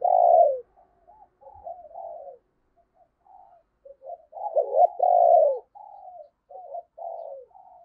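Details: Decoy spotted dove cooing to attract wild doves: deep, soft coos, a strong opening note, softer trailing coos, then a louder accented pair and further quiet notes.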